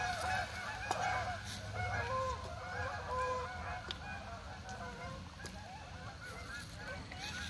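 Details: A gathering flock of geese at dawn honks continuously, many nasal calls overlapping in a busy chorus about once a second, some louder honks standing out, over low wind rumble and brief clicks.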